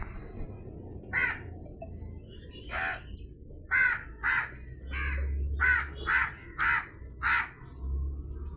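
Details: Crow uttering around nine harsh caws in an uneven series, bunched more quickly toward the end, with a low droning hum and a thin high tone in the background.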